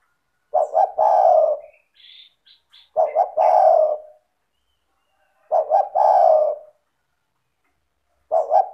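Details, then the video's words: Lively spotted dove coos, played to get silent doves calling: repeated phrases of two quick notes and a long husky coo about every two and a half seconds, with faint soft high chirps between the first phrases. "Pancingan bunyi suara burung tekukur gacor cocok untuk terapi tekukur malas bunyi"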